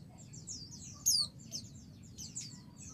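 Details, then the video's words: Female white-eye calling to males, provoking agitated replies: thin, high chips and twitters in a quick run with one louder sharp falling note, over a low background hum. "pleci betina memanggil jantan"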